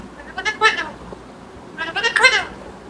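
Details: Pet green parrot, kept as a talking bird, gives two harmonic-rich drawn-out vocalizations about one and a half seconds apart, each wavering up and down, over a quiet indoor background.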